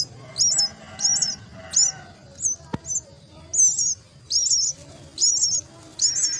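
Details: Myna chicks at their nest beg while being fed. Shrill, squeaky bursts repeat roughly once a second, with a single sharp click partway through and a faint low rumble beneath.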